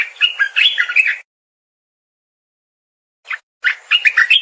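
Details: A streaked bulbul delivers sweet, tumbling phrases of chirps and warbles, pausing for two seconds before a single note and then another lively burst.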